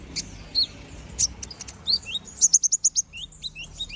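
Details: Brown-throated sunbird, a vigorous ngobra-style singer delivering sharp shot notes for training other birds; scattered high chirps, then a rapid series of six clipped piercing notes, followed by short rising squeaks.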